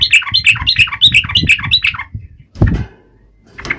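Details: Yellow-vented bulbul taunting rivals: rippling whistled notes repeated about three per second for two seconds over a loud low rumbling background, followed by a thump and noise.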